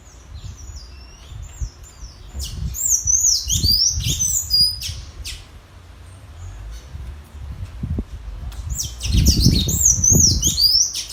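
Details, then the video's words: Caged tanager singing in a song contest with a free wild bird: bursts of high, thin, squeaky notes and slurred whistles, alternating with quieter gaps, over low rumbling background noise. "Sanhaço disputando canto com o solto da natureza!"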